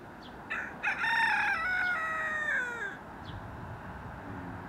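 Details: One crow from a Silkie, possibly a rooster mistaken for a hen: a strained, ringing cock-a-doodle-doo that sags in pitch toward its end, over steady background noise with a few faint chirps.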